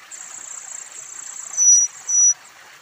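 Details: Forktail nestlings at a wild nest on a steep cliff, fed by a parent, give two thin, very high whistles, each about a third of a second, close together over a steady hiss of rushing water or insects.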